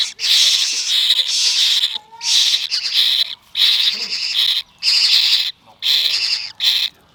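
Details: Young pet parrot chick begging at its morning feeding at sunrise, excited and hungry for milk, giving loud harsh raspy hissing squawks in bursts of about a second, repeated with short pauses.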